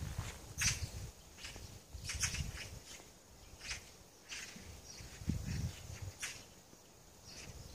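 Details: Several magpies meet on a high branch beside a countryside farmhouse, repeating hoarse, grating 'kak' notes in irregular bursts about every second, with low wind-like rumble underneath.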